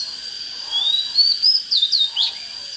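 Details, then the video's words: Oriental magpie-robin singing a long rising whistle followed by a few sharp up-and-down slurred notes, over a constant high hum. "Chích chòe than HÓT HAY"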